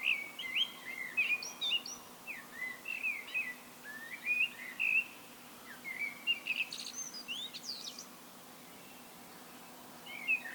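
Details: Blackbird song, solo: continuous mellow warbling whistles in quick varied phrases, punctuated by high scratchy flourishes, phrases separated by short gaps; low constant background hum.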